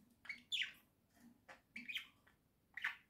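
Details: Pet budgerigars in a house, October 2024: quiet, scratchy chirped notes in short separate bursts over a faint low hum.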